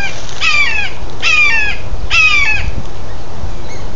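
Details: Young red-shouldered hawks growing up in a backyard: three loud, harsh, downslurred screams, each under half a second, given in quick succession about a second apart. The calls are rich in overtones, and the background is fairly quiet.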